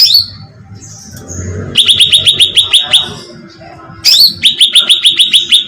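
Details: Bait sound of a cucak ranting bulbul for attracting birds: after a quiet start, two runs of fast, evenly spaced high chirps, each sliding downward, the second opened by a squeaky note.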